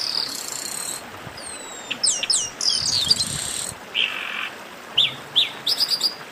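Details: Chestnut-capped blackbirds in a noisy 'baderna' chorus used to warm up singing birds: high downslurred whistles and short buzzy bursts in scattered clusters, with gaps of quiet hiss between.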